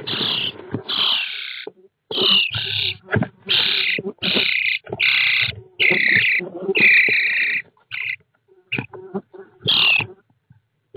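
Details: Starling chicks in a camera-equipped nest box, late June 2017, keep up a nearly continuous chorus of loud hoarse, buzzy rasps. Brief gaps separate the bursts, and low thumps of movement sound inside the box.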